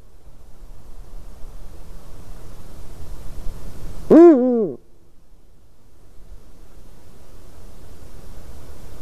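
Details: A single Eurasian eagle-owl call from a white-tailed eagle's nest on the evening of 12 March 2019: a short, rasping, arched note with strong overtones over a steady low hiss.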